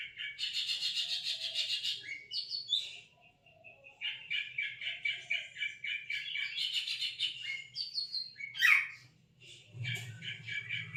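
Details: Cucak ijo, or greater green leafbird, in a lure recording for silent birds: dense buzzy chattering phrases alternate with rapid trilled notes and brief whistles, over a low steady hum that grows near the end.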